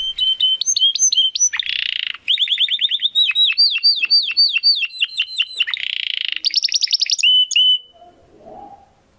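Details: Domestic canary in steady, crystal-clear song used as a tutor recording for competition birds: rapid tours of repeated chirps, each set at its own pitch, broken by a dense buzzy rattle, then a fast high trill before fading out.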